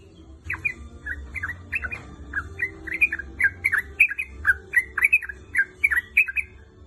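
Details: Female sooty-headed bulbul calling vigorously to a male: a rapid, steady run of short, slurred chattering notes, some rising and some falling, about three per second, with faint sharp ticks above them.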